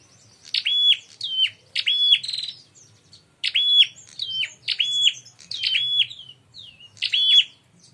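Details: Bar-winged prinia lure call to provoke fighting: clear, rapid series of high chirps, each falling sharply then holding a short level note, repeated in quick clusters with brief gaps and little background noise.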